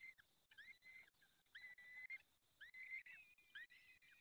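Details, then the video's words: Barycz Valley peregrine falcon nest, fifth feeding on 23 April 2020 at 19:28: a series of short, whiny whistled calls, some rising at the start and curling down at the end. "Piąte karmienie Dolina Baryczy 2020 04 23 19:28 sokół wędrowny"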